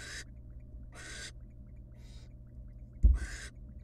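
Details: Short, strong rasping hisses from wild barn owl nestlings being fed rabbit by their mother in a nest box, four bursts with one fainter, plus a sharp thud near the end.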